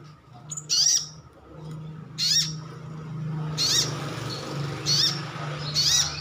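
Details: Sunbird kept as a cage bird, in wild-style calling to make other birds reply: thin, high, twisting chips repeated irregularly about every second, with a steady low hum underneath.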